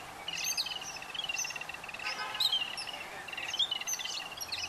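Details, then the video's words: Babbler chicks being fed, yellow-billed babblers: continuous overlapping chatter of rapid buzzy notes with occasional higher squeals, steady throughout, a faint low hum underneath. "Babblers feed their chicks | Yellow Billed Babblers and chicks"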